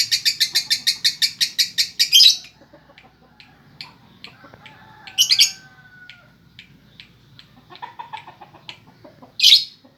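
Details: Two seconds of quick, high, buzzy chatter from a female lovebird in the konslet style end in a sharp squeak, followed by scattered ticks and two further short shrill bursts.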